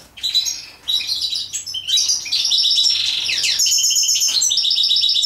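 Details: European goldfinch in mating, starting with scattered chirps that build into a steady rapid twittering song of high, bright, slightly buzzy notes.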